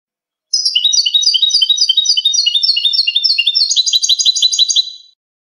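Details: European goldfinch singing a clean song, a style used for teaching captive birds: rapid repeated twittering notes in a dense high-pitched stream lasting about four and a half seconds, shifting to a faster trilled run near the end; no other sounds.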